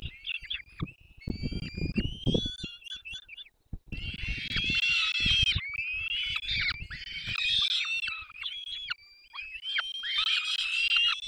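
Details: At a nest in Poland's Barycz Valley, 3 May 2024, two adult peregrine falcons feed their chicks: grating, high-pitched squealing, pausing briefly near the middle, with low thumps and rustling from movement at the nest.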